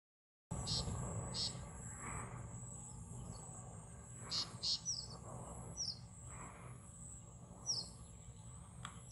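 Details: Red avadavat on the charlands of the Ganges (Padma River) in Rajshahi, Bangladesh, gives thin, high chirps scattered irregularly every second or so, over a steady high insect drone and low background rumble.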